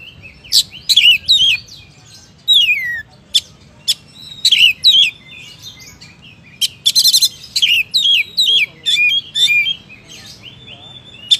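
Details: Oriental magpie-robin (kacer) in prolonged "gacor" song: varied whistles, harsh buzzy bursts and falling slurred notes in irregular clusters, with a steady low hum behind.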